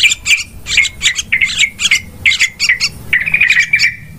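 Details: Trapping lure of yellow-vented bulbuls, described as super noisy: short harsh chattering bursts repeated about every quarter second, each ending in a squeaky note, merging into a continuous chatter at the end.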